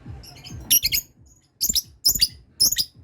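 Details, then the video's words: Lovebird learning the ngekek trill as other birds answer: short clusters of harsh, screechy chatter in quick groups, separated by brief gaps with low background hum. "Love bird belajar ngekek ,yang lain dengar langsung terpancing bunyi"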